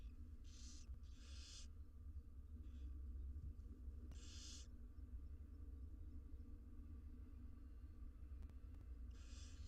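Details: Wild barn owl nestlings, six in an Israeli research nest box, being fed: paired rasping hisses at the start, a single loud hiss near the middle, another at the end, over low rumble.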